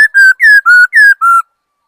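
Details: Laughingthrush song: five loud, clear whistled notes in quick succession, each slightly falling or level, alternating a little higher and lower, then silence; no other sounds.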